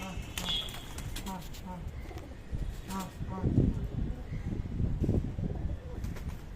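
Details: Pigeons fighting over food taken from a person's hand give low, soft coos while the person talks nearby.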